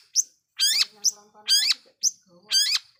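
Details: Long-tailed shrike in vigorous lure song meant to provoke other shrikes into rage: harsh, buzzy, strongly layered notes alternating with short high chips, about three pairs in three seconds, with faint low clicking underneath.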